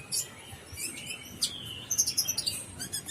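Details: Brown-throated sunbird, called kolibri ninja, giving gacor full isian song. A few scattered high tweets and a thin slurred whistle lead into a fast, uneven run of piercing chirps near the end.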